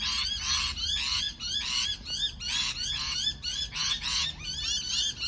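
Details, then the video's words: Continuous parrot chatter: rapid raspy bursts mixed with squeaky rising and falling whistled notes, barely pausing throughout. "美丽的鹦鹉鸣叫beautiful parrot chirping sound call"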